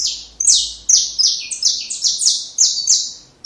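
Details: Song of a saffron finch meant for teaching young birds, delivered as a fast, dense series of loud, high, slurred notes that fade after each sharp attack, nearly continuous for the whole stretch.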